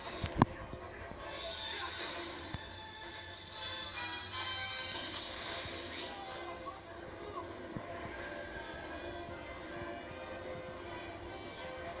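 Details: Music and a voice, like a television playing, with no animal call standing out.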